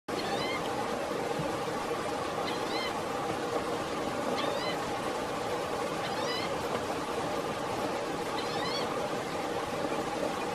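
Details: Green-tailed towhee calling while preening in Blackwood Canyon, Placer County, California, on August 29, 2017; five short cat-like mewing notes with stacked overtones, spaced about two seconds apart, over a steady loud rushing background noise.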